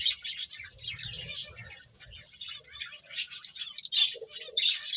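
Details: Playing finches chirp in rapid high bursts, a lively cluster in the first second and a half, a softer stretch in the middle, then renewed sharp tweets toward the end.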